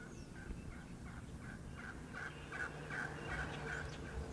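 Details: Wild turkeys, a flock of gobblers and hens on a Mississippi River island field during spring hunting season, calling at a distance: a quick run of short, throaty notes, several per second, over steady low wind rumble.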